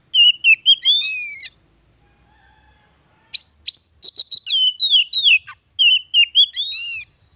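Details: Oriental magpie-robin singing, used as therapy to rouse a bird that has gone quiet: bright whistled notes with quick upward and downward sweeps, a buzzy trill near the start, then a pause of almost two seconds before a long varied run of phrases.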